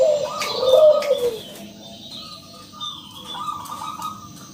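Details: Local zebra dove singing to lure other doves into song: one rolling coo phrase, a brief note then a longer falling trill, followed by quieter higher background chirps.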